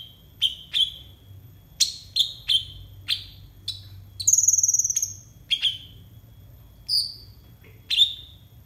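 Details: Konin, a bird kept for tutoring young konin, giving sharp high chirps with quick downward sweeps, spaced irregularly, plus a rapid buzzy trill near the middle and a few thin high whistles.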